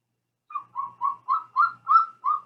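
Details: Golden eagle call played for comparison with the bald eagle, heard as having a little whoop to it: seven clear, slightly rising whistled notes near one pitch, evenly spaced about every third of a second, on a silent background.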